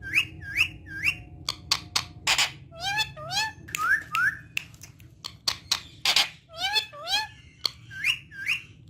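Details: Pet talking parrot, said to say 'Mian Mithu Gee' in Urdu and Hindi, indoors: rapid sharp clicks and broad noisy bursts mixed with short harmonic whistled syllables that swoop up and down, some paired, in an uneven, chattering run.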